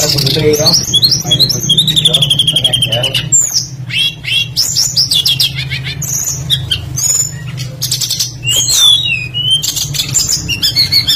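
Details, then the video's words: Energetic lure song of a tledekan, a blue flycatcher, played to make other birds sing: long high whistled phrases, rapid chips and slurred notes in quick succession, over a low droning hum. "PANCINGAN BURUNG TLEDEKAN PASTOL GACOR FULL ISIAN LANGSUNG IKUT BUNYI"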